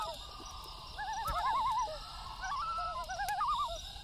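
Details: Several loons overlap at night in a chorus of rapid, warbling tremolo calls at different pitches, swelling and fading in waves. A crackling fire and high insect hum sit in the background.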